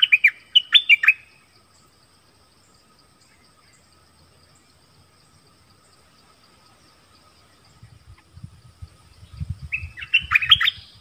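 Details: Nok dok taeng in a song duel with visiting wild birds. Brisk chirped phrases open, a long hush follows, then more chirping returns near the end over low rumbling noise.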